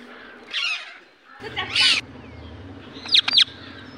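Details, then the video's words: Indian ringneck parakeet giving its natural voice: a few short harsh bursts, then sharp high screeches near the end, separated by quiet gaps with a low hum underneath. "Natural Voice of Parrot 🦜."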